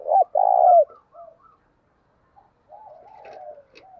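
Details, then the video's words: Tame spotted dove used as a lure, calling to provoke cooing: one loud phrase of a short note and a long steady coo, followed by low, soft, murmuring coos. "tiếng cu gáy mồi thuần gáy gọi và thúc căng lửa"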